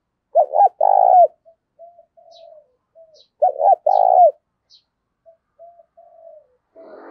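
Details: Decoy spotted dove of the thổ đồng voice type, used to draw wild doves to call. Two full low coo phrases come about three and a half seconds apart, each a quick wobble and then a trembling held note, with soft murmuring between.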